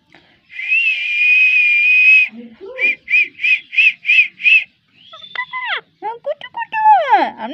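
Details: Pet parrot whistling: one long steady whistle, then a run of seven short clipped whistles in quick succession, followed by swooping, falling whistled notes, with a brief laugh nearby.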